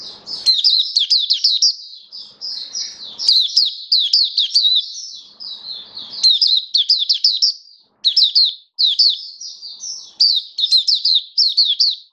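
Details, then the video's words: Caged hobby oriental white-eye recorded 21 October 2022 on its first day on a song-display booster, pouring out long, energetic high twittering phrases of rapid looping chirps, broken by brief pauses. "Mata Puteh Buka Sing Raja"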